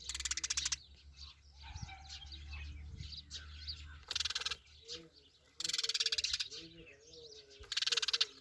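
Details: Sparrow calls: loud rapid pulsed chattering bursts recur every second or two, with scattered high chirps between them and a low hum underneath.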